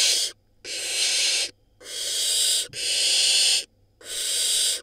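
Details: Hissing of a barn owl nestling in an Israeli nest, hatched May 2022, while gulping down a rodent: four long, rough, breathy hisses, each about a second, spaced by short pauses.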